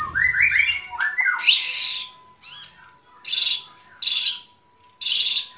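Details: White-rumped shama opening with quick rising whistled notes, then four harsh rasping bursts spaced about a second apart, with a faint steady hum in the background.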